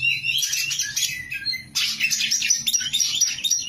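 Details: Caged oriental magpie-robin (kacer) singing vigorously, described as ready for contest: fast, varied stream of bright whistles, buzzy trills and quick chirps, a brief pause mid-phrase, then a renewed burst of rapid notes; low background hum.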